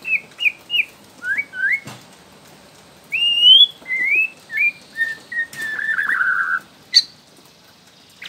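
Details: Young wild white-rumped shama from Borneo, used as a lure to prompt other shamas to sing: clear whistled phrases, short rising and falling notes in quick sets, then a longer wavering warble and a sharp upward note.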